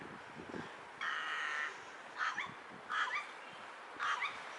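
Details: Rook giving a strange call with hiccups: a long harsh nasal caw, then three shorter rasping notes about a second apart, each ending in a hiccup-like catch, over faint background hiss.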